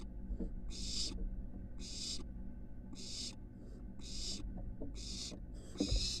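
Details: Live nest box camera at the University of Florida records a barn owl nestling moving up to the roof: a regular series of seven harsh hisses roughly every second, the last one louder, over a constant low hum.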